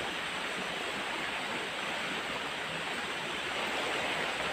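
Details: Steady broadband rushing like flowing water or a stream fills the whole recording, with no animal voices.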